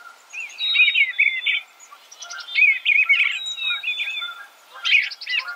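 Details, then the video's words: Eastern bluebird giving a run of mellow warbled notes in three or four quick clusters, each a jumble of short wavering chirps, against a faint steady background hum. "Suara Burung Eastern Bluebird - Eastern Bluebird Bird Sound"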